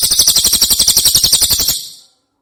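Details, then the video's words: Cililin prinia on a clear master recording for songbird training: a loud, buzzy, fast-ticking trill lasting under two seconds, then fading out. "Masteran Prenjak Cililin Suara Jernih"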